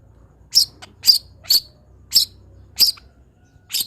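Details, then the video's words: Long-tailed shrike sound meant to train other birds: six sharp, very high, short notes spaced about half a second apart, with a soft low hum behind them. "MASTERAN CENDET ANTI GAGAL - CENDET MANAPUN IKUT BUNYI DENGAR INI"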